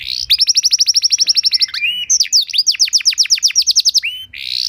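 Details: Canary master song used to train other canaries: rapid trills of high whistled notes repeated about four times a second, then a burst of descending sweeping notes and another fast trill, ending in a rising tone.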